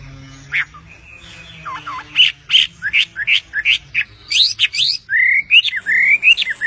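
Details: Bird song that starts with scattered sharp, high notes, builds into quick chattering bursts, then ends with drawn-out rising whistles over a low hum.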